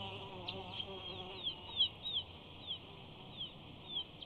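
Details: High, thin chatter from a bald eagle preening right in front of a nest camera at Big Bear, 5 June 2019: faint, sharp downslurred chips spaced irregularly, about three a second at most, over constant hiss.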